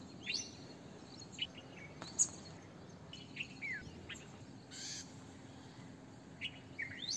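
Short, bright chirps and slurred whistles come in scattered bursts from a red-vented bulbul, with a steady low hum and faint background noise.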